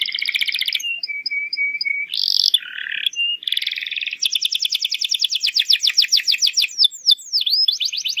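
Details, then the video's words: Canary song played to encourage young canaries to sing: buzzy trill, level low whistles, harsh burry bursts, then a long fast series of downward sweeps ending in swooping whistles. "PANCINGAN BURUNG KENARI GACOR UNTUK PAUD AGAR CEPAT NYAUT"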